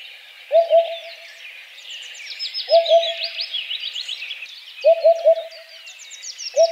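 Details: Eurasian Hoopoe song: low, hollow hooting phrases of two or three quick notes, repeated about every two seconds, over a busy background chorus of high chirping and trilling songbirds.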